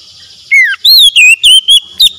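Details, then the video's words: Oriental magpie-robin singing one bright phrase: a downslurred whistle, then a wavering rising-falling whistle and several short, pure whistled notes repeated about every quarter second against a quiet background. "PEMULIH KACER SETRES BISU MACET BUNYI LANGSUNG GACOR"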